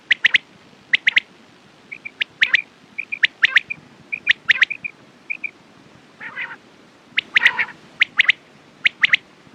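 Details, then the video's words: Sharp, high quail notes in triplets mix with soft short whistled pips and a couple of lower, rasping, buzzy calls toward the end. "Quails sound best sounds use morning and night time mast awaz saaf awaz"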